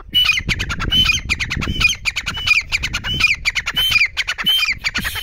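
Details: Female grey francolin giving a dense, unbroken series of harsh, squawking notes, several each second, with ringing overtones over low rumbling background noise.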